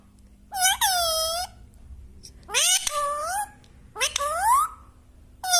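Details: Rose-ringed parakeet kept as a pet, giving loud harsh drawn-out squawks in three bursts, each a rising then falling screech with a short pause between, in a quiet room.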